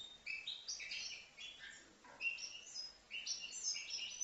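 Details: Young European goldfinch, aged five months, Livno: short bursts of tinkling, twittering notes and thin whistled chirps, softer and a little gappy, with a faint background hiss.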